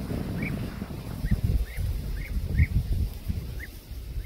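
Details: European bee-eater at the Soča river mouth nature reserve, Slovenia, 22 August 2024: short, liquid, rolling 'prruip' calls, about eight over four seconds, thin against a heavy low rumble of wind.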